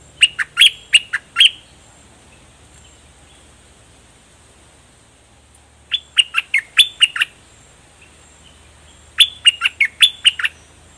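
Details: Three bursts of quick, ringing chirps, each of six to eight downslurred notes, separated by pauses of several seconds. A bulbul in complete new plumage, locally nok dok taeng, sings in the doubled style.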